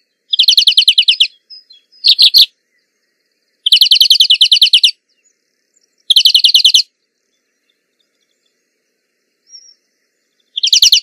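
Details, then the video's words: Rapid twittering trills of a singing greenfinch, each burst lasting about a second, repeated at intervals of a couple of seconds with quiet gaps between. "Birds Singing - European Greenfinch"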